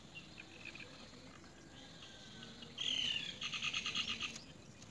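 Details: Great myna around its nest: a loud, sudden harsh call, then a fast series of about eight sharp repeated notes. Fainter chirps come earlier over a low outdoor hum.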